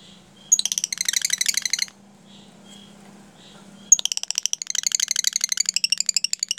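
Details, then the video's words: Lovebird singing in the close-spaced 'jeda rapat' style, a recording used as a lure to teach other lovebirds this style: two bursts of rapid, bright, high chirps separated by a two-second pause with a low hum. "pancingan LOVEBIRD jeda rapat"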